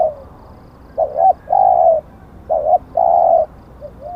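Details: Spotted dove used as a decoy: two clear coo phrases, each a quick wavering note then a long flat coo, followed by a faint softer phrase at the close.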